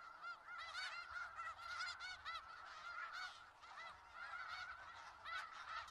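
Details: A big gathering of snow geese in Skagit Valley honking nonstop, many nasal barking calls layered into a steady wall of sound with louder bursts near the start and end.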